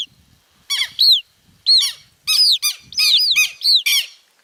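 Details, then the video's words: Newly hatched southern lapwing chicks calling noisily; loud arching squeaky notes in clusters, overlapping at times, with faint low rustling beneath. "Filhotes de quero quero , já nascerão fazendo barulho !"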